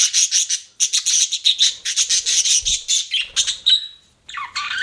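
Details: A budgie gives a clear run of quick, even chirps, roughly five a second, ending in a drawn-out whistle and a falling note after a brief pause.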